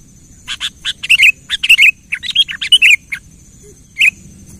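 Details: Gacor sooty-headed bulbul (kutilang) song to tempt a silent bird: loose groups of short bright chirps with rolling slurred endings, irregularly spaced, ending in one lone note after a pause.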